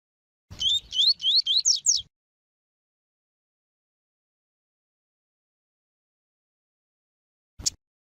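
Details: A rusty-collared seedeater (coleiro tui tui) song mixed with a female's call, used to rouse males, gives a rapid phrase of about six high, rising, slurred whistles lasting under two seconds, then one brief sharp note several seconds later.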